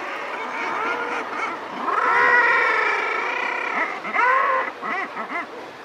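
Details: Razorbill at a ledge giving soft, long growls after take-off: drawn-out, harmonic growling notes, one lasting more than a second, followed by shorter grunting pulses.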